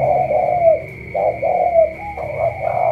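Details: Spotted dove, tú style from Cà Mau, cooing low and mellow: a short note, then a longer drawn-out coo, repeated about once a second against a faint steady high whine.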